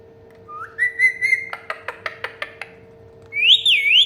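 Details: Pet Indian ringneck parakeet, known as mithu tota, makes a rising whistle that levels off, then a row of sharp clicks about every fifth of a second, and finally a high, wavering whistle; a faint steady hum runs beneath.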